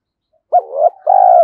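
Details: Spotted dove used as a decoy at sunrise to summon wild birds; a single phrase: a sharp initial note sliding into a rising murmur, brief pause, then a sustained, slightly falling coo.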